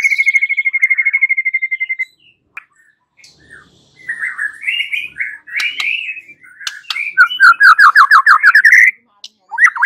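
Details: White-rumped shama song used as a lure to get a bird to answer and sing: a steady fast trill of even notes, a pause, then varied whistles building into loud rapid rising notes.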